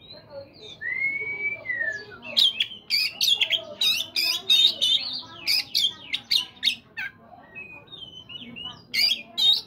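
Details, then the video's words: Oriental magpie-robin morning song used to coax caged birds into singing: a long rising whistle, then a rapid series of sharp, loud notes and varied whistled phrases. "terapi kacer pagi hari PANCINGAN kacer biar cepat bunyi"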